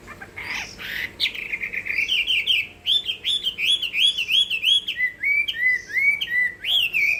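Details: Chinese hwamei contest singing: loud, rich whistled phrases of repeated arching, slurred notes, about three per second. The notes rise and fall in steady succession with a few higher flourishes, over a faint low background hum.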